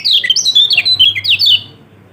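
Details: Brief, lively phrase from a yellow-throated white-eye, used to make a lazy bird start singing: a quick string of bright, high whistled slurs that ends abruptly.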